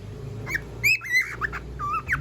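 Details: A pet cockatiel, called noisy by its owner and asked what it is singing, gives a run of short whistled notes that rise and fall, several in about two seconds, with a person's voice talking softly underneath.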